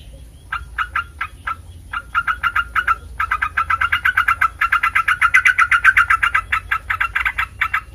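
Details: Sooty-headed bulbul song, used to provoke other bulbuls into answering: quick chattering notes, about four a second, softer at first, then a louder, denser run after a short pause near the three-second mark.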